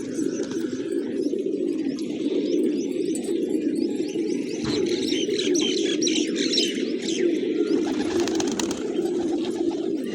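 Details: Morning flock of village pigeons at grain, deep overlapping cooing underneath busy bright chirping of small birds, with a sharp knock near the middle.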